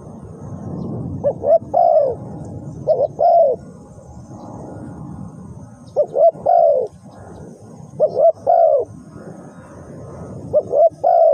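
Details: Spotted dove calling as a trapping lure: clear groups of soft coos, each phrase ending in a longer descending note, repeated every couple of seconds over a steady low rumble of background noise.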